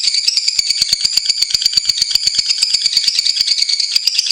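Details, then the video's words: Lovebird chatter from a long-running tutor recording: a dense, high-pitched rattling trill made of rapid clicking pulses, sustained without pause for the whole stretch. "Masteran Lovebirds Durasi Panjang | Kicau Burung"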